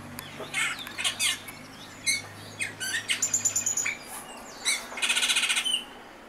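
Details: Austral thrush singing a varied string of short, bright chirps and whistled notes, ending in a rapid stuttering trill of about ten pulses, with a faint low hum underneath.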